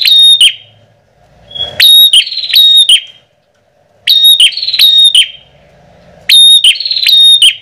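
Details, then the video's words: Bar-winged prinia (prenjak) lure call used to attract prenjak birds in rice fields, gardens or forest: loud, sharp metallic bursts of clicking chips with a ringing whistled note, in phrases about every two seconds, with faint background hum. "Suara Pikat Burung Prenjak Paling Ampuh"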